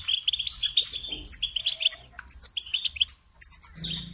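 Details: European goldfinch song as a training model for young birds: clipped twittering phrases and chirps broken by brief silences, ending with a soft low hum.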